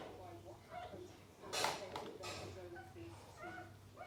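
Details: Indian ringneck parrots playing together give soft warbling chatter, broken by a loud harsh screech in the middle, then more chirpy notes, over a steady low hum.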